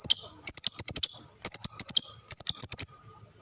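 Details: Lovebird in lively chattering voice, sung to make other lovebirds reply: three dense bursts of sharp, high twittering notes, each about a second long, with brief silences between.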